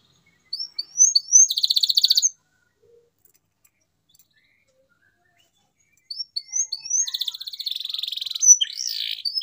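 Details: Canary song played to stimulate silent canaries into singing again: two bursts of high rising whistled notes leading into rapid buzzy trills, separated by a few seconds of silence.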